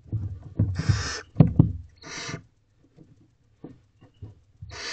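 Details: Barn owl owlets being fed at night in a nest box: two or three hissing screeches among low thumps, scratching and shuffling from the birds moving, with a steady low hum.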